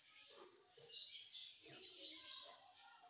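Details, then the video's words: Indian ringneck parrot talking, giving a short speech-like phrase of harmonic, voice-like syllables with a high, slightly raspy edge; quiet background. "Indian Ring Neck Talking Parrot"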